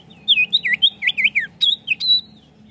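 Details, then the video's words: Lure song of a common iora for caged birds: a fast, lively string of about a dozen looping whistled notes, bouncing up and down in mid-high pitch, closing on a longer steady whistle, with a faint low hum behind. "PANCINGAN BUNYI CIPOW"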